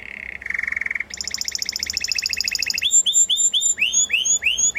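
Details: Singing Timbrado canary: a low, smooth rolling trill shifts into a higher rapid trill, followed by a series of rising, slurred whistled notes repeated about twice a second.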